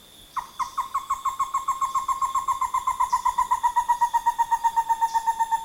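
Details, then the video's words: Song of Stresemann's Bristlefront (Merulaxis stresemanni), a critically endangered, possibly extinct ground-nesting songbird of a South American forest: a long, steady run of clear, ringing notes, about four a second, drifting gently down in pitch and growing louder. "Alexander Zaidan and Marcos Perez managed an audio recording of the bristlefront."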